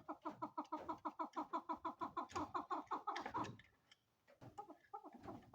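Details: Quick, evenly spaced chuck notes from a female chukar, a steady clucking run that stops abruptly, followed after a pause by a few scattered notes.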